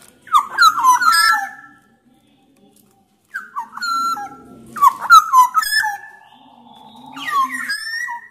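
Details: Black-naped oriole from Sumbawa, song used to prompt other orioles to sing: loud fluty whistled phrases sliding downward, mixed with harsh nasal overtones, in three bursts separated by short pauses.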